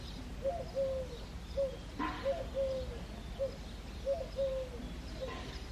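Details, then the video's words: Cooing song of a Eurasian collared dove on a foggy early morning in February, with mellow low coos grouped short-long and repeated at a regular pace, one faint click midway, and calm outdoor ambience behind. "Coo Dove - Dove Singing in the Foggy Morning"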